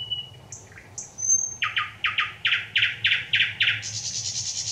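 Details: Singing thrush nightingale on 25 May 2021, heard clearly: soft high whistles and a low chirp lead into eight loud repeated tchok notes, closing with a sustained rapid buzzing rattle.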